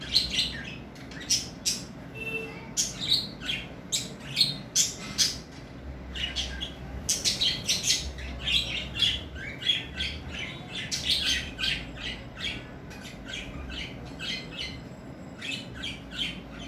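Budgerigars chattering with rapid, scratchy high chirps and squeaks that overlap in a busy flock chorus.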